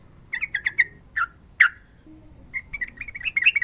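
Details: Sooty-headed bulbul in lively fighting-style song, a training recording for bulbuls that rarely sing. Several quick bright chirps, a slurred lower note, a sharp burst, then a fast run of mid-pitched chattering notes.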